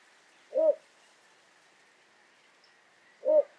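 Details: Little Bittern in a broad reedbed in the Netherlands, a rare bird there, seen climbing reed stems: two deep, short croaking barks about 2.7 seconds apart, low and gruff, over a faint steady hiss.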